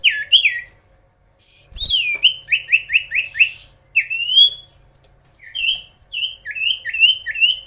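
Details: Common iora singing to provoke rival birds: repeated downward-slurred whistles delivered in rhythmic runs of four or five, with a drawn-out rising note between runs.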